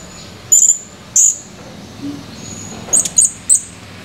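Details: Recorded 17 July 2020, a male Blue-crowned hanging parrot calling energetically: loud, very high, sharp squeaky chirps, two spaced notes followed by a quick stuttering cluster, over faint background hiss.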